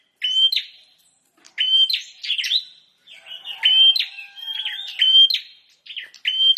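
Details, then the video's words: Energetic song of a bar-winged prinia: spaced bursts of flat whistled notes and harsh clicking chips, with short pauses between phrases and a faint low hum beneath in the middle. "Burung prenjak gacor dor"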